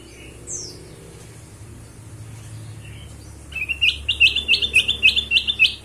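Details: Ruby-throated bulbul as a lure for other birds: a faint high downslurred note and soft notes first, then a fast, regular series of about ten sharp chirped whistles repeated several times a second.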